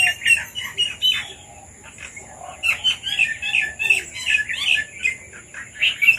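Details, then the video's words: Several chirps from red-vented bulbuls eating papaya, rapid little notes at first, a brief lull, then a lively run of repeated bubbly calls to the end, with a faint steady whine behind. "Red Vented Bulbuls have come to eat Papaya • Birds Sounds"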